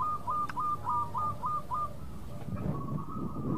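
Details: Local zebra dove song, played as a lure to draw quick replies from rivals. Six short, even cooing notes run for about two seconds, then fade into low rumbling noise.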